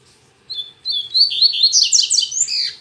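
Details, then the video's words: Double-collared seedeater singing on a Saturday morning, its song still weak: a short high note, then a burst of quick whistled notes sliding up and down, ending in a scratchy, descending flourish. "Coleiro Mack Cantando Muito Pela Manhã"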